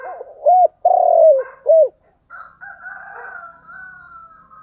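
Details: Spotted dove in thúc gù style: short arched coo, a long sustained low coo, then another short arched coo, followed by quieter, higher drawn-out whistly tones and faint background murmuring.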